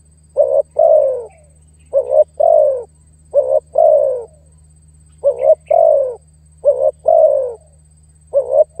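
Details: Spotted dove lure call for drawing in and challenging a rival. Mellow paired coos, a clipped note and then a longer falling one, repeat at an unhurried pace over a steady low background hum.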